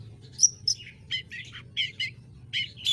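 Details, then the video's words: Shrill, harsh song phrases from a long-tailed shrike, a mimic with a sharp, piercing voice: a high whistled note, then scratchy chattering bursts spaced about every third of a second. "Burung Cendet Bunyi Santuy!!!"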